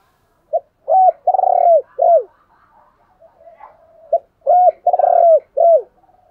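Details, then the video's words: Decoy spotted dove cooing to stimulate wild doves to call back; two low four-note phrases, a short note then longer hoarse coos ending in a falling note, a few seconds apart with faint softer coos between. "chim cu mồi kích bổi, tiếng thúc gáy gọi kích thích bổi rất xiêng gáy theo"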